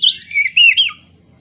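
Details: An agitated Oriental magpie-robin, used as a lure for silent birds, gives a brief burst of slurred whistles that rise and fall, ending with a short dropping note.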